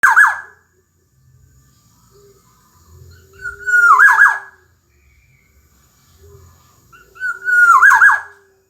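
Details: Black-naped oriole, called kepodang emas, singing in lively gacor style: two loud fluted whistled phrases about three and a half seconds apart, each a level whistle that breaks into quick rolling, looping notes, over a faint low rumble.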